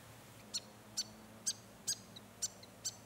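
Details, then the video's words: Grey fantail in natural woodland on a conservation property in the Capertee Valley, New South Wales, late May or early June 2020: sharp, high, clicky chips spaced about half a second apart, over quiet background. "Sounds of the Australian Bush – Enchanting Grey Fantails"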